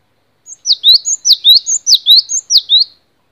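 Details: Gelatik batu (cinereous tit) masteran song: a brisk run of about five repeated two-part phrases, each a high thin note sliding steeply down then lifting, delivered in a clean rhythmic series with no other sounds.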